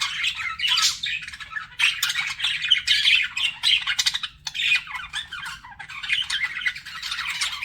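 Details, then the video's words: Pet budgerigars flirting with bursts of raspy chattering and squeaks, separated by brief quieter gaps every second or two. "BUDGIES FLIRTING"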